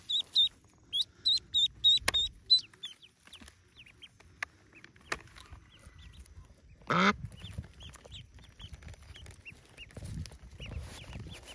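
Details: Yellow ducklings hatching in a cave nest; a few loud high peeps in a short series at the start, then quiet scattered faint peeps and a brief rustling burst.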